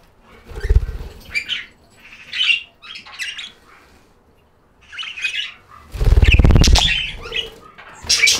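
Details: Budgies chatter in clipped raspy bursts amid low thumping flutters, with one long loud rumbling flap-like burst midway, then more high twitters.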